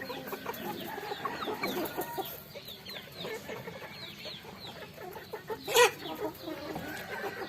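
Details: Chickens on a farm pecking at rice, many birds clucking and peeping together in a busy, overlapping chorus, with one louder sharp clatter near the end.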